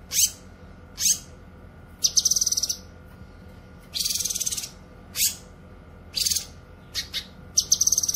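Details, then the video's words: Cucak kinoy, sound for training and luring birds; sharp single notes alternating with short fast buzzy trills and rattles, spaced about a second apart. "suara burung CUCAK KINOY gacor"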